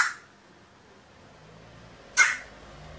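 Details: Crow sneezing repeatedly after becoming angry while watching a cat, recorded 29 October 2018; one sharp, short, explosive burst near the end, the tail of another at the very start, otherwise a quiet background.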